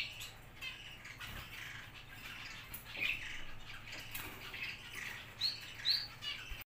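Parrots give a run of brief, harsh chirps and squawks, bunched near the end, over a steady background hum.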